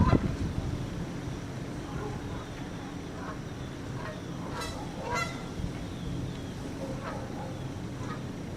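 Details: Male Canada goose honking to the female while nudging her, two geese together, September 24, 2015, 9:15 am; a sharp knock opens, then spaced nasal honks, clearest a pair midway, over constant low rumble.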